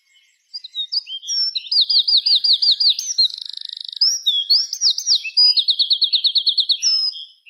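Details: Birds chirping in the afternoon at dusk from treetops; a bright, clear song of fast repeated trilled notes in rapid series with a short buzzy rattle mid-phrase, then more rolling trills.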